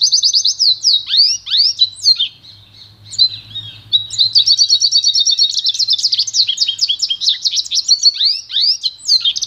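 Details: Pure pintagol song, the goldfinch-canary cross, with a rapid stream of sharp descending chirps, a brief quieter stretch, then dense high twittering and rolling trills to the end.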